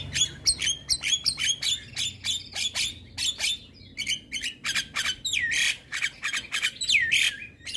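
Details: Javan myna (jalak kebo) morning song: rapid rhythmic series of harsh squawking notes, later broken by broad rasping bursts and looping whistled slurs.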